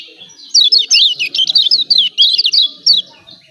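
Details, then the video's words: Kecial kuning from Lombok, 'ciak ciak' calls to coax birds into singing: a tight string of high, jagged chirps lasting about two and a half seconds. "CIAK CIAK JOSS KECIAL KUNING AMPUH||PANCINGAN KECIAL MALAS BUNYI||"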